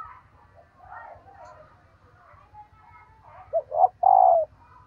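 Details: Female dove's stimulating call to males: softer chatter of other birds, then two brief upswept notes and a long, strong, slightly falling coo near the end, over a low hum.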